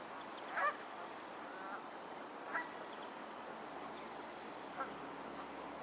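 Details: Geese on a lake in Pennsylvania: three brief, faint honks spaced roughly two seconds apart, rising out of a steady hiss of background noise.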